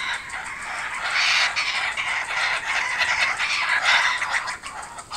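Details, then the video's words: Kookaburras returning to a garden, several birds calling together in a dense, harsh chorus of rapid cackling notes that run on without pause for the whole stretch. "Our Kookaburras are back"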